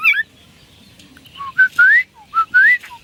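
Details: A Chinese hwamei in full, lively song gives short clear whistles that jump between pitches, then loud upward-sliding slurred notes in a repeated pattern, with soft pauses between phrases.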